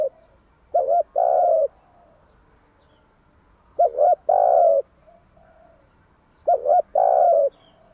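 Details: Spotted dove cooing in the morning, played as a lure to train doves: three phrases, each two short hooked notes followed by a longer, steady, low hollow coo, spaced about three seconds apart over a quiet background.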